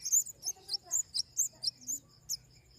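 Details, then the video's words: Flowerpecker producing rapid, high, thin chirps over a low background hum and faint murmuring. "Suara burung kemade"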